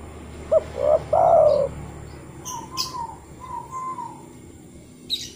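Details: Lure call of a spotted dove, used to coax doves into calling and, in the wild, to call other doves: one clear three-part coo ending in a long sliding note, then softer, more distant coos in a hissy background.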